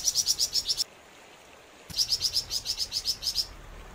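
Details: {'caption': 'Rapid, high chirping from a flamboyan bird in full song, heard in two bursts of quick, evenly pulsed notes about four per second apart, separated by a one-second silence.'}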